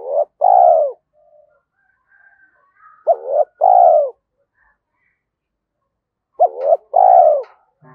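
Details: Spotted dove used as a decoy, thunder-voice style, giving three cooing phrases about three seconds apart, each a quick double note followed by a long, mellow, downward-sliding coo.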